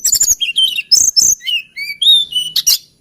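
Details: Busy hill blue flycatcher singing: chattering high notes, wavering whistles, and a series of pure whistled notes rising and falling, closing with a sharp high burst.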